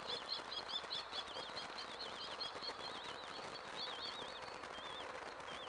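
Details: Chicks a week old calling during feeding, with a stream of high, wavering, trilled peeps that rise and fall quickly, heard through steady loud background rushing.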